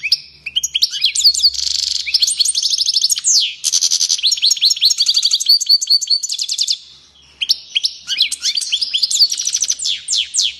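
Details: European goldfinch in frenzied song, dense bursts of high liquid twitters, rattling trills and buzzy notes, a brief quiet gap near seven seconds, then the chattering resumes.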